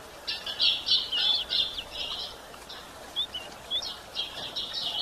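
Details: Female White-throated Seedeater calling to stimulate males: loud buzzy chirp phrases at first, a pause with a few thin whistled notes, then renewed quick high twitters.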